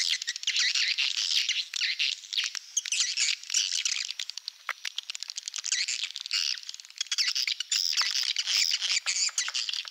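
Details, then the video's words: Swiftlet lure sound, Malaysian style, for attracting birds to swiftlet farming houses: dense high-pitched buzzy chirps and clicks overlapping continuously, many birds twittering together. "sp malaysia super top"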